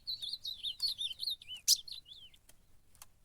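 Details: Ultramarine grosbeak singing while fighting during a campeada: a sweet warbled run of slurred whistles, rising and falling, with sharp clicks around the middle before the phrase trails off into a last downslurred note.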